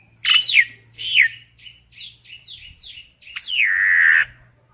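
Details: Common myna gathering its flock: two loud squawky descending notes, a soft series of short chirps, then a long harsh downslurred squawk drawn out into a buzzy tail.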